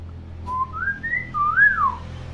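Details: Tame talking common hill myna kept as a pet: a series of whistled notes stepping upward, then a rising-falling arched whistle, with a low background hum.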